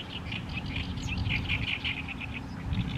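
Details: An Oriental reed warbler in Nishi-ku, Fukuoka, Japan, in May 2022 sings a loud, harsh, chattering run of grating notes without pause, over a steady low rumble of wind or distant traffic.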